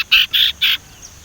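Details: Young Sumatran leafbird, still untrained, learning to whistle; the practice sound serves as a lure for other leafbirds. Three short, rich harmonic chirps come in quick succession, then fall quiet.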